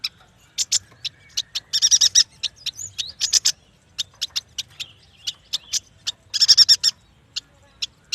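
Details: Yuhina (prenjak batu) recorded as a lure song: scattered high ticking notes interspersed with two dense bursts of fast, shrill twittering, the isolated notes spaced irregularly about every third of a second.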